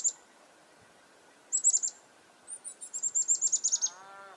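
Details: Chickadee alarm notes prompted by a nearby goshawk, February 2021, Reedfly Farm: clusters of very high, sharp chip notes repeated in quick runs, ending with a brief lower rising sound.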